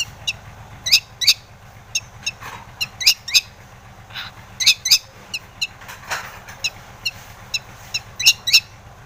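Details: Long-tailed shrike in full song, used as a lure to provoke other shrikes into answering and getting agitated: sharp, high chirps and clicks in uneven bursts, a few harsher broadband notes between them, over a low steady hum.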